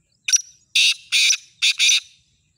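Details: Black francolin, a bird offered for sale, giving its full call: a short harsh note, then two loud rasping grating bursts, a brief pause and two more, each broad and scratchy and close to the recorder, with no other sounds.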